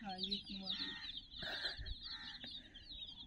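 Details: Chicks, some 60 of them, chirp in a constant high chorus near a teddy toy; low, buzzy voice-like sounds open the clip, and a few rustles and thumps follow.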